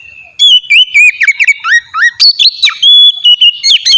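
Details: Caged Oriental magpie-robin, known locally as kacer, in melodious ngeplong song meant to prompt other birds to sing: rapid run of sliding whistles, sharp upward and downward slurs and brief chirps with almost no gaps.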